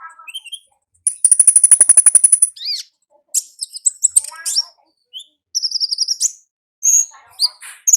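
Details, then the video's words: Song of an olive-backed sunbird in the wild, opening with a fast, even, high trill lasting over a second, then scattered sharp chips and thin whistled slurs at very high pitch. "Suara Asli Ngalas Konin Ninja di Alam Liar"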